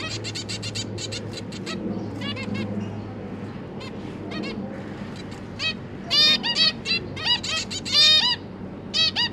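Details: A zebra finch pair and their three juveniles, newly fledged and practising flight as the parents feed them, give rapid, high nasal chirps and short squeaky notes, some in quick bursts, over a low steady hum.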